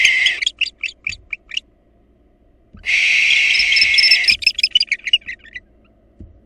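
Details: Barn owls at a nest as a female intruder attacks the nestlings and the father defends them: rapid squeaky chittering notes, then a long harsh hissing screech of nearly two seconds, followed by more quick chirps.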